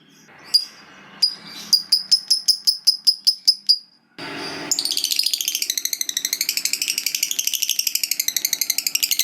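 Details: Lovebird, a fighter-type bird, singing long ngekek: a few spaced sharp chips accelerate into a rapid run of high clicky notes, a brief break, then a long continuous chattering trill of wavering high notes.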